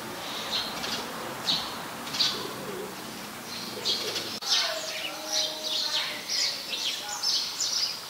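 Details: House sparrow in Ubon Ratchathani, Thailand, 17 January 2020, a very common resident: brisk high cheeping notes in loose series, a sharp click midway, then a livelier run of chirps over faint background noise.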